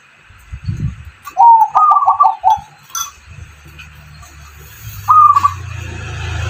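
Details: Zebra dove crossed with spotted dove, singing to coax lazy doves into calling; a run of bubbling stepped coos, then a single rising coo after a gap, over a low hum.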